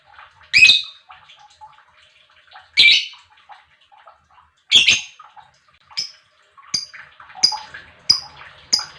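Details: A lovebird, used as a lure for other lovebirds, gives loud harsh squawking chirps about every two seconds, then shorter thinner chirps coming quicker, with soft chatter between them.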